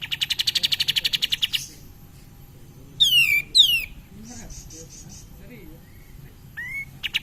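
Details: Cream-vented bulbul singing as a lure to stimulate other birds: a rapid, even, high chattering trill, then two loud downward-sweeping whistles, a brief soft ticking run and a short rising whistle near the end.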